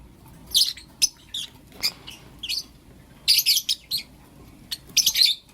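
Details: Morning chirps from Blue Opaline and Lutino Opaline lovebirds: short, piercing high tweets in scattered clusters, some single and some in quick triplets, with quiet gaps between.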